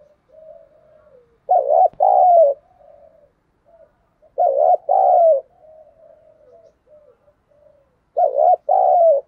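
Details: Caged decoy spotted dove calling to lure wild birds: three loud two-part coo phrases about three seconds apart, each a short wavering note then a longer level one, with soft low murmured coos in between.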